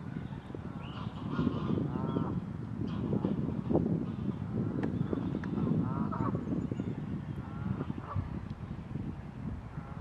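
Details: Great crested grebe pair, recently reunited, courting while already nest building; a series of nasal, harmonic calls repeated irregularly through the ten seconds over a constant heavy low rumble of background noise.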